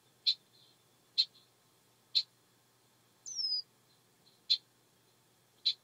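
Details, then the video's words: Red-winged blackbird in a swamp, described as a mating call: sharp, high chips about once a second, interrupted once by a thin, slurred whistle. "Red Winged Black Bird, Swamp Call..Mating Call"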